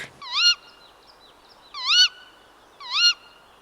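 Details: A female tawny owl calling at night gives three shrill, squeaky calls, each briefly rising then dipping, spaced one to one and a half seconds apart over quiet background.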